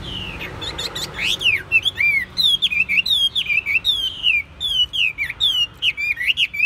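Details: A caged Chinese hwamei, kept for singing contests, sings a long series of clear looping whistles repeated in quick succession, each note bending down then up, with a few buzzy notes early on.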